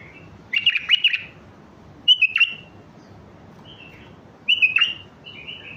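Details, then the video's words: Mandali bulbul giving strong song used to teach chicks: short bursts of bright, warbled whistles, each phrase under a second, separated by pauses of one to two seconds, over faint background hiss. "اقوى تغريد بلبل مندلاوي لتعليم الافراخ"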